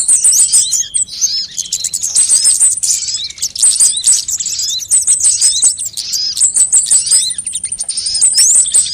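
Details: Mixed sunbird calls meant as a lure and tutor sound to make birds sing quickly: very high, rapid chirping with repeated short trilled bursts, bright metallic twitters layered over each other almost continuously.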